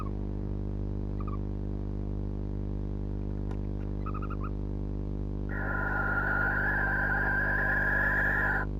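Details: Barn owl pair at 2.18am on 20th January, possibly in pre-mating behaviour, the male perhaps showing early interest in the female; a few short paired chirps, then a sustained harsh, rasping screech of about three seconds over a steady low electrical hum.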